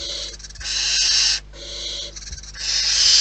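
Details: Almost continuous breathy hissing from wild barn owls at the nest, several rasping screeches running into one another with only a brief dip in the middle.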